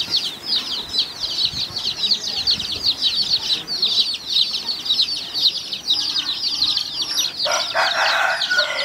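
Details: Many coloured chicks peeping nonstop while they feed with hens: dense, high, falling cheeps overlapping each other, and a harsher lower sound near the end.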